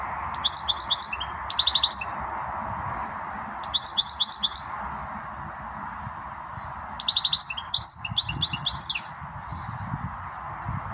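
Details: Goldfinch singing in bursts of rapid, high, tinkling trills and twittering notes, three separate phrases of about one to two seconds, with pauses between, over a steady broad background hiss or hum.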